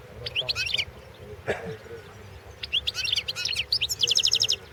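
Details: A European goldfinch sings for a championship: scattered bright twittering phrases, a short pause with a soft click, then dense high chattering ending in a quick even trill.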